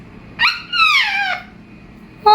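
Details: Pet African grey parrot making a drawn-out, slightly falling nasal squawk lasting about a second, followed by the start of another call, indoors.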